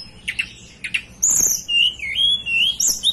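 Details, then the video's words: {'caption': 'A hill blue flycatcher from the mountains of Banten and West Java gives a few soft chips, then a long, wavering, high whistled phrase that rises and dips repeatedly over a quiet background.'} "Tledekan Gunung lokal asli Banten"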